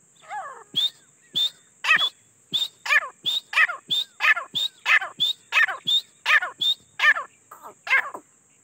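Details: Teetar or grey francolin calling steadily: a long, regular run of loud, ringing, high-pitched phrases, each a whistled note slurring into a harsh downward burst, spaced about half a second apart.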